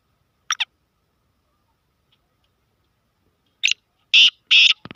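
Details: Black francolin, known locally as kala tetar, of Sindhi strain: a brief pair of sharp clicking notes, a long pause, then a rapid burst of loud, harsh, grating notes ending abruptly.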